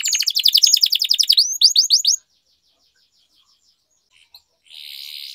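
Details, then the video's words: Canary training song in long-roll style: a fast, dense trill that breaks into quick falling whistles. Silence follows, with a few faint clicks and a soft buzzy trill at the very end. "Canary Singing Training, Kenari Gacor Ngerol Panjang, Pancingan Kenari Macet, Masteran Kenari Paud"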